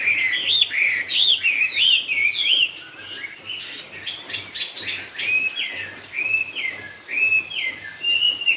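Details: Chinese hwamei singing cao cầu style: loud, looping whistled figures at first, then a dip in volume and a run of repeated short upslurred whistles spaced about half a second apart.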